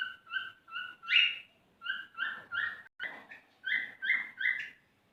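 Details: Courting male cockatiel whistling to a female to encourage mating, a string of short, clear, slightly rising warbled notes repeated several times a second, a few phrases louder and sharper.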